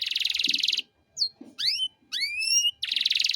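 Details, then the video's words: Chattering canary singing in the rich 'cengkok mewah' style, played as a tutor song for raw birds: a fast buzzy trill breaks off, a few high rising whistled slurs follow, then the rapid trill resumes. "Masteran Kenari Gacor Cengkok Mewah"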